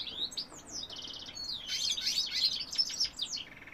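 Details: Male goldfinch singing in 2018, mixing quick twittering notes with short buzzy trills, building to a dense jangling burst and ending on a lower rattling trill.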